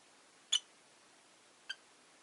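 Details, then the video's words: Two short, high chirps from caged rosy-faced lovebirds kept by a window. The first is louder, the second thin and brief, over a steady hiss. "Lovebird Chirping Sounds"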